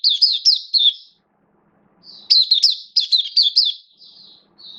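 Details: Hobby-kept oriental white-eye in a cage, recorded 11 September 2022 with form dipped a little, giving its buka (opening) song: bursts of rapid high chirping notes separated by a brief pause and ending in thin, softer twitters.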